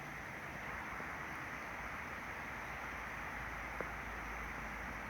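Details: Steady broadband rushing noise, like wind or distant traffic, fills the recording with a single faint tick and no animal voices.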